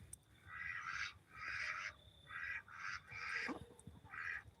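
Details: Male ducks on a farm give hoarse, raspy calls around 6 p.m. while the females stay quiet, about five calls in under five seconds, over a low background rumble.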